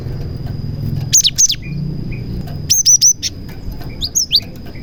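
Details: Cinereous tit singing a lively song filled with prenjak (prinia) imitations, used as a lure to get other cinereous tits singing; short bursts of sharp, high chirps, some bending downward, with a faint steady high whine behind.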